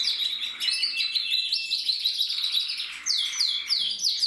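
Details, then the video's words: Crested male canary in red and black, 2024 breeding year, delivering a short burst of rapid trills with quick rising sweeps and bright chirped notes. "Kanarienvogel Rot-schwarz mit Haube 2024"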